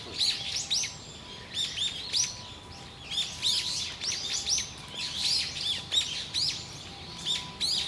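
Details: Eyebrowed thrush giving a busy run of high, thin, squeaky chirps. The notes cluster in rapid overlapping bursts about every second, with a low steady hum behind.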